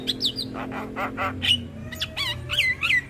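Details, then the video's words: Javan myna singing on a lure track meant to prompt stalled, stressed mynas to sing. Varied whistled notes, some sliding and wavering, mixed with harsh squawky chirps, all over a steady low hum. "PAncingan Burung Jalak Macet Bunyi / Jalak Stres / Jalak Pikatan"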